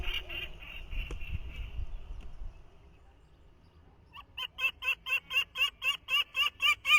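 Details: At its 2023 nest, a peregrine falcon chick copies its father's call for the first time, having heard it only days earlier. Low rumbling noise comes first, then a quick series of harsh, evenly spaced notes after a pause.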